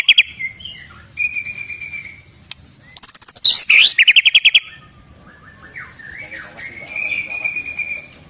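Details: White-rumped shama from Indonesia, singing prolifically with a full repertoire of learned song elements: varied song mixing steady high whistles, sliding notes, a burst of rapid repeated chirps mid-way, then long buzzy trills and warbling, with faint low background noise.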